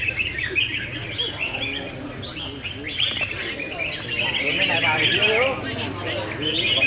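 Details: Several red-whiskered bulbuls sing at once in a singing battle, overlapping bright chirps and liquid whistled phrases at a quick pace, over a low hum and faint voices.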